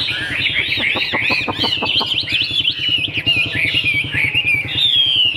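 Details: Chinese hwamei kept in captivity, a fig-leaf-tailed singer, delivers rapid repeated arched whistles that later smooth into a long descending clear phrase, over a steady low pulsing engine drone.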